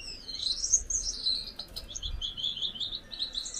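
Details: A pair of Gouldian finches; a continuous high, thin, buzzy warble with whistled rising and falling notes, sung without pause through the whole stretch, with faint low background rumble.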